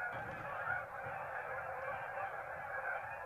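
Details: Geese leaving a marsh for an afternoon feed after a midday rest, a mass exodus: dense, continuous overlapping honks from many birds blending into a steady clamour, with no pauses.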